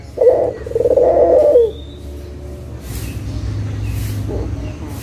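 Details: Local Barbary dove, recorded as a lure to make lazy doves call again, giving one coo: a brief low note, then a drawn-out rolling purr, followed by quiet with a low background hum.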